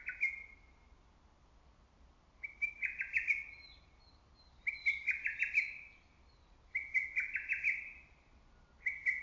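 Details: Loud lesser cuckoo in early summer forest, calling steadily: four hurried, stuttering phrases about every two seconds, with faint thin high notes from another bird between them.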